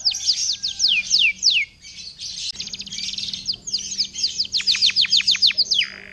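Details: Vigorous canary song meant to trigger other canaries into singing: rapid high descending whistles, a brief pause, then a dense rattling trill and more quick falling notes ending on a lower slur, over a faint steady hum.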